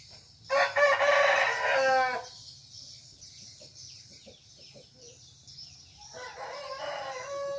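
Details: Serama jungle fowl rooster crowing in the morning, out of the cage and perched on a hand; a loud, rough crow with stepped harmonics, followed by soft ticking and the start of a second crow.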